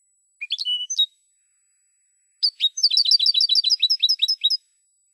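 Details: European goldfinch from Spain singing on a silvestrismo recording: a brief twittered phrase, a pause, then a fast run of repeated bright tinkling notes.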